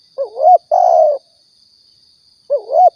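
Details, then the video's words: Spotted dove call from Riau used as a hunting lure: a quick wavering coo leads into a drawn-out level croon, then a new phrase begins after a pause, with a faint steady high-pitched electronic hum. "suara tekukur balam"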